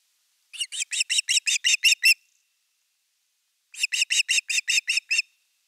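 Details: Osprey calling at nest #3 in Finland on 30 August 2021 at the evening fish: two runs of eight to nine piercing, evenly spaced whistled notes, the first run growing louder.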